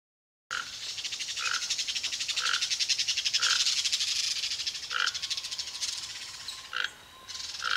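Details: A wild Toco toucan in Tupi Paulista, São Paulo, Brazil, gives short hoarse croaks roughly once a second, set against a dense, rattling insect chorus.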